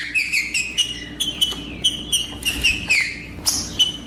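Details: Male green-winged saltator singing aggressively to fire up rival males, giving a quick series of clear whistled notes repeated about every half second, interspersed with dry sharp clicks.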